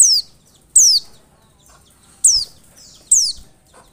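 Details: Four bright, high downslurred chirps from an Oriental white-eye, used to lure, spaced irregularly over about four seconds with quiet in between.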